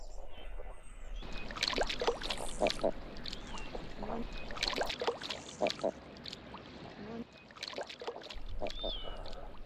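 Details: Tame common eiders on the beach at Seahouses, Northumberland, where they display in February and March, give soft, crooning cooing notes, a few short rounded calls, over steady surf and lapping water, with a man talking nearby.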